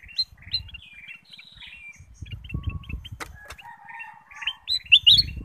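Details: Bulbul lure song for other birds: varied chirpy whistled notes in quick runs, a few lower warbled phrases, and loud bright whistles at the end, with some wing-like flutter and low rumbling.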